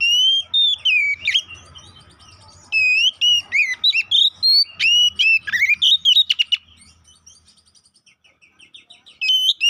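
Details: Kacer, the Oriental magpie-robin, in a lure recording used to make other birds emotional and fight: bursts of clear whistles, sharp upslurs and buzzy notes in quick runs, a short fading pause, then song resuming.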